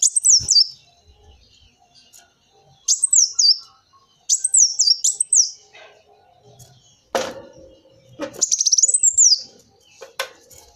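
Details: Purple-throated sunbird (kolibri wulung) song used as a lure: loud, very high thin twittering phrases with wavering, descending notes, given in bursts about every one to two seconds, with a few sharp knocks and clicks between.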